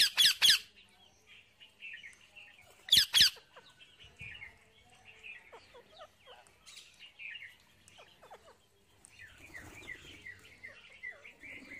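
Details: A wild parrot eats seeds. The clip opens with two loud sharp crackling bursts, followed by scattered soft chirps and a livelier series of warbling notes toward the end.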